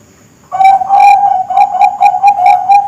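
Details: Young Bangkok-type zebra dove used as a training recording for contest and breeding birds and for luring: a steady mid-pitched pulsed cooing, a long purring coo followed by about seven quick repeated pulsed notes, clean with no other sounds.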